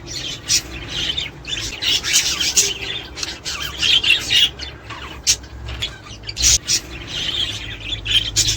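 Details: Budgerigar chatter for encouraging mating, mixing raspy squawks with chirps and scratchy warbling in uneven bursts, some sharp clicks, over a low hum.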